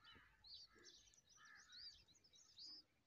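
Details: Bulbul feeding her chicks with worms: faint, short chirping notes and bright upslurred whistles, about one each second, over steady background noise.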